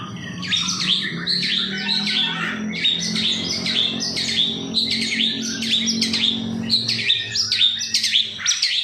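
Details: Long-tailed shrike lure song: varied high warbling phrases and chirps repeated in close bursts over a steady low humming background.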